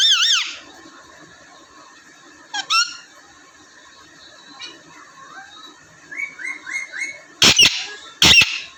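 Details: Captive parrots, raw and normal, indoors in Punjab, Pakistan: opening warbled screech, a downward-bent note, then a quick run of four rising chirps, and two loud broadband clicking bursts near the end.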